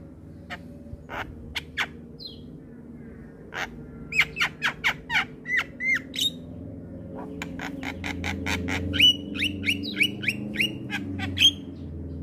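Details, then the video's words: Javan myna (jalak kebo) singing in a lively gacor style, a series of sharp clicks and short whistled notes with a few rising and falling whistles, repeated in quick bursts over a low background hum. "Ocehan Jalak Kebo Gacor"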